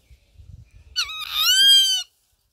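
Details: Rufous-winged buzzard giving a loud, drawn-out mewing call of about one second that rises slightly and then holds steady, with a rich, harmonic tone. Faint low rustling comes just before it.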